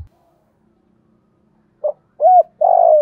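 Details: Spotted dove giving a lure call in the native 'thổ' voice to draw other doves in: a short low note, then two louder mellow coos, the last one slightly buzzy and held, all on one low pitch.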